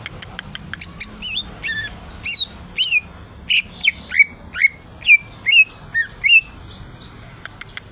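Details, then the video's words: Greater green leafbird (cucak ijo) singing eagerly: quick dry clicks give way to a lively string of loud whistled notes, many sweeping sharply downward, about two per second, with a few ticks at the end. "CUCAK IJO !!! Gacor"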